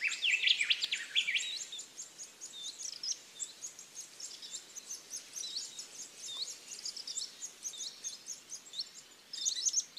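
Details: Varied Sittellas in Australia's Capertee Valley, raising young from eggs to fledglings; a loud burst of mixed squeaky notes opens, then a long rapid stream of high, thin, hooked chips continues without pause.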